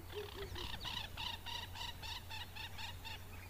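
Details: African jacana (Actophilornis africanus) calling: a quick run of nasal, squeaky notes, about three each second, over a steady low hum.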